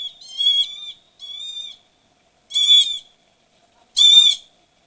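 Northern Lapwing giving four wheezy, high, slurred calls, each about half a second long, at uneven intervals against a quiet background.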